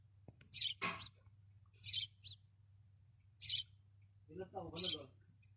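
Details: Sparrow on top of a caravan in the desert: high, buzzy chirps at irregular intervals, including a double note, with a brief lower harmonic sound and a steady low hum underneath.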